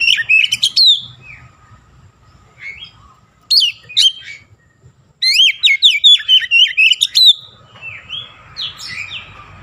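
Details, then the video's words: Oriental magpie-robin singing with a repertoire full of Javan myna (jalak kebo) sounds. Fast clusters of high whistles and chirps alternate with pauses, ending in a long, excited run of sliding notes and a softer rasping phrase. "KACER GACOR BESET SUARA JALAK KEBO"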